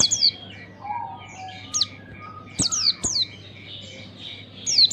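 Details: High, quickly dropping chirps from an Oriental white-eye, played to stimulate young birds to sing, scattered singly and in short runs over a steady faint tone and low hum.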